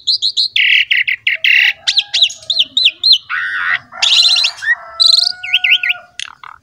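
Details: Asian pied starling singing loudly, a recording to encourage other starlings to sing: buzzy bursts, looping wavy whistled phrases repeated several times, harsh rasping notes and sharp squeaks.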